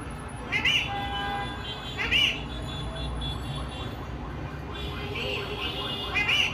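An Indian ringneck parakeet gives four short, harsh, upslurred squawks, spaced one to three seconds apart, over a low steady indoor hum.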